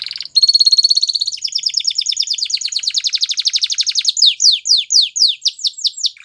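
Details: A white canary of Belgian type sings a fast, even trill of high notes, shifting into a slower run of sharp descending whistled sweeps.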